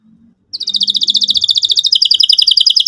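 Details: Energetic canary lure song for young learning canaries: after a faint low hum, a fast high rattling trill of evenly repeated notes runs steadily to the end.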